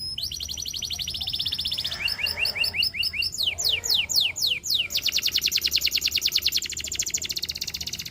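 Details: A canary sings a high trill, then short clipped notes and a few broad swooping strokes, finishing with a long, fast, even trill.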